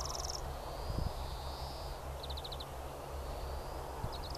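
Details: Greenfinch singing on the Eden Course in April 2015: stretched wheezing notes broken by one quick burst of four or five trilled notes, over constant low background noise.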